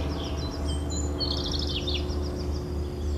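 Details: European robin singing: a brief burst of high, thin, tumbling notes in the middle, over a steady low drone, with a faint repeated ticking series from another bird high in the background.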